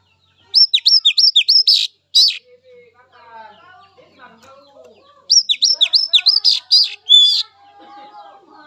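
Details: Wild Oriental magpie-robin singing its natural song: two bursts of rapid, high whistled notes with sharp downward slurs, about eleven notes each, separated by a few seconds of softer chattering.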